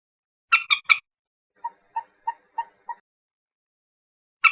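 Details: Common moorhen giving three harsh, grating bursts in quick succession, then five short, evenly spaced clucking notes, and a final rasping burst at the end. Otherwise quiet.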